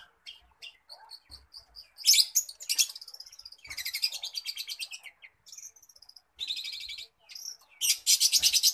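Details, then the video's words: Cendet, the long-tailed shrike, copying other birds: repeated clear whistles, rasping bursts, a long rapid trill-like series of notes, and a final harsh rattling run. Used as a tutor bird for other songbirds. "Burung cendet \ pentet ci peniru ulung"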